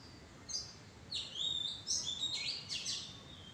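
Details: Oriental magpie-robin (Copsychus saularis) in a mayom tree bower gives a quick run of bright, high whistled and scratchy notes, rising and falling, over soft background hiss.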